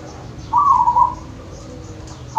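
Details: Local wild zebra dove recorded in Wonogiri, Indonesia, giving one soft, burbling trilled coo that fades gently downward. The phrase is about half a second long and begins again at the end. A quiet rural background sits beneath it.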